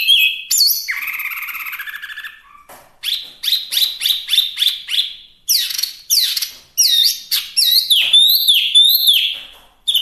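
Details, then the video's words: Hwamei (wambi) singing strongly, recorded for tutoring and luring birds: a long buzzy warbled note, then bursts of fast repeated rising whistles, closing in varied bright chatter. "Suara Asli Wambi Mini/Hwamei Gacor pas buat Masteran dan mikat"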